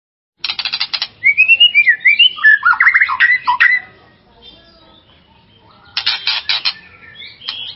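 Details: White-rumped shama song used as a provocation recording to excite and rouse another shama: harsh buzzy rattling bursts, then a run of clear whistled, sliding phrases rising and falling, with another buzzy burst near the end.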